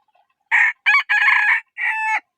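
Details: Rooster crowing: a single full crow of four harsh, harmonic syllables, the third long and rough, the last a steadier drawn-out note that drops at the end; no other sounds.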